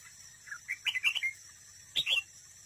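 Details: Decoy red-whiskered bulbul singing competitively at a trap, delivering one fast rising and falling warbled phrase followed by a short loud two-note flourish.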